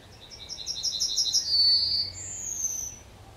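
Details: Yellowhammer singing at the edge of Kabaty forest: a rapid run of about a dozen thin, high, repeated notes speeding into a short buzz, then a long, drawn-out, slightly falling final note, over quiet background.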